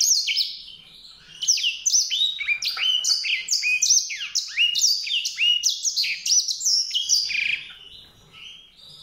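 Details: White-rumped seedeater song: soft at first, then a rapid, jumbled stream of high chirps and swept whistles at about four notes a second. It fades out over the last second and a half.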